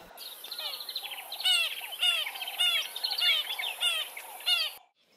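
Acacia Pied Barbet alarm call: nasal, buzzy notes that slur downward, repeated roughly twice a second and partly overlapping, over a steady high hiss.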